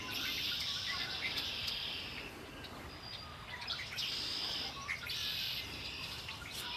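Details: Wild birds singing outdoors by Lake Erie: dense high trills and chirps in bursts lasting a second or two, repeated several times, over a steady low background rumble.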